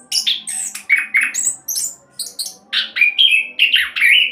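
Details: Orange-headed thrush singing the quick 'roll' style, a lure to set other birds singing: choppy bursts of loud, varied whistles and squeaky notes, mixed with rapid chattering fragments throughout.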